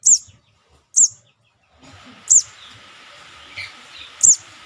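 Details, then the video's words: Sogon juvenile call used as a lure: short, sharp, very high chips, four in under five seconds at uneven gaps, with a faint steady hum and soft background chirps. "Suara pikat anakan sogon"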